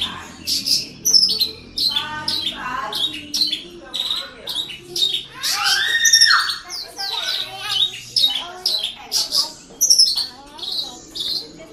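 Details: Horsfield's bush lark from a keeper's collection in Java, singing energetically. A varied, jumbled medley of high chirps, rising whistles, rattles and harsh squeaky phrases follows in quick succession, with no clear repeating pattern.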